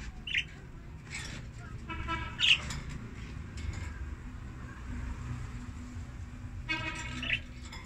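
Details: A budgerigar chick on its first day after hatching gives a few thin, high cheeps and scratchy chirps spread over eight seconds, over a steady low rumble of background noise.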